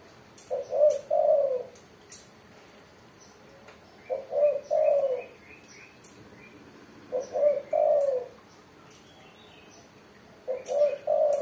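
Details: Tekukur or spotted dove singing steadily: low hollow cooing phrases, a quick double coo followed by a longer falling coo, repeated roughly every three seconds, with faint clicks and high chirps behind.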